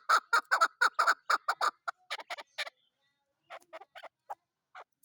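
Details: Chukar partridge, called a hunter chakor, with loud rasping chuckling notes in quick succession that break up and fade into scattered softer clucks before falling quiet.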